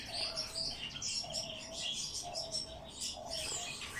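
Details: Hand-fed bird chick begging during feeding: high, thin chirping cheeps in quick overlapping bursts, joined by a lower repeated squeak about every second, indoors.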